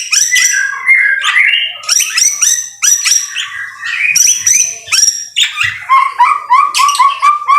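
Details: A white-rumped shama sings vigorously in rain. Clusters of high, ringing, squeaky notes alternate with short pauses, ending in a rapid run of repeated whistled notes.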